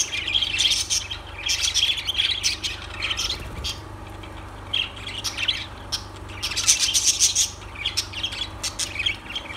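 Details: Lovebirds giving bursts of harsh squawks and sharp high chirps in irregular clusters separated by short quieter gaps, several birds together, over a low background hum.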